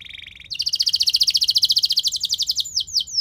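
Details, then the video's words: Canary singing a lure song for prompting other canaries: a soft, lower buzzy trill, then a loud fast trill of high notes, closing with a few descending sweeps. "Langsung Respon Burung Kenari Kondisi Apa Saja Dengan Pancingan Kenari Nembak Panjang Keras Ini"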